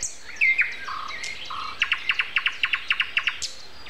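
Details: Early-morning nightingale song, Sunday April 29 at 7:55: a few whistled and lower flat notes, then a crisp run of about twelve identical notes repeated several times a second, against a quiet bird chorus.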